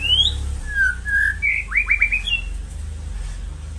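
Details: White-rumped shama song used to stimulate caged birds: clear whistled notes, a high falling whistle, then a quick run of short rising slurs and a final whistle, over a low steady hum.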